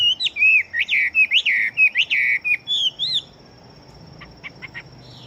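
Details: Fighting-type Chinese hwamei with a fast song: loud arching whistled notes in a quick series for about three seconds, then quiet with a few faint clicks.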